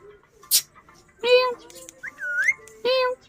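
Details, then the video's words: Pet parrot mimicking a cat's meow: two drawn-out, nasal harmonic meows about a second and a half apart, a short sharp click first, and a whistled upward-curving note in between, indoors. "Mera Tota katna acha bolta hy Funny parrot"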